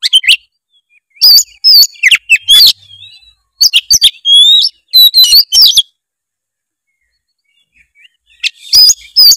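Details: Oriental magpie-robin song for coaxing a lazy bird to sing: bursts of sharp, high whistles and chattering notes, a long pause, then a final short phrase.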